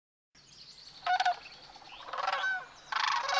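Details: Migrating sandhill cranes in Nebraska's Platte River Valley, near Sutherland on North River Road, on the morning of March 18; bursts of rolling, rattling calls from several birds, rising in intensity toward the end.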